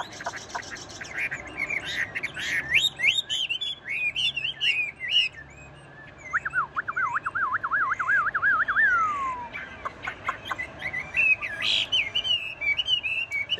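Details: Caged, tame Chinese hwamei singing continuously despite its cage being shaken: varied whistled and chirped phrases, then a long rapid wavering trill lasting about three seconds, followed by more bright looping whistles.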